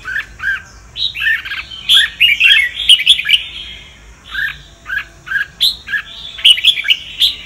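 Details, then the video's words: Red-whiskered bulbul of the Sông Kon type singing to train other birds' voices. Paired falling whistles alternate with dense phrases of bright, chattering notes and sharp high clicks, repeated through the recording. "Chào mào luyện giọng cực hay"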